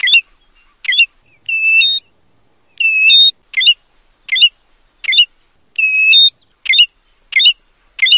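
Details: American golden plover mixing brief sharp chipping notes with three longer clear whistles that hold steady and then step up in pitch at the end. The background is otherwise silent.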